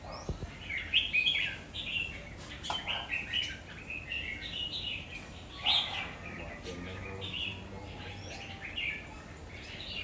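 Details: Red-whiskered bulbul singing short, bright warbled phrases in bursts, with quieter gaps between them and a faint low hum underneath.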